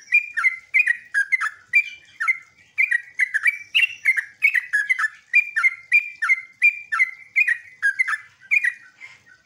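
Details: A sooty-headed bulbul lure call meant to make other bulbuls answer: bubbly, chattering two-note phrases dropping in pitch, about two per second without pause, with no other sounds.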